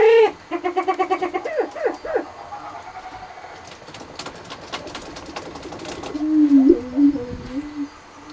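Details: Canadian spruce grouse (Canachites canadensis) during a display gives a quick run of nasal, harmonic clucks, then a low, drawn-out hooting note after a few seconds of soft clicks and rustling.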